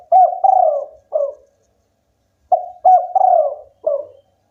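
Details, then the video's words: Spotted dove of local stock singing energetically, two soft mellow phrases of quick short coos, a long descending coo and a brief final coo, about two and a half seconds apart. "tekukur lokal gacor bikin lawan ikutan bunyi"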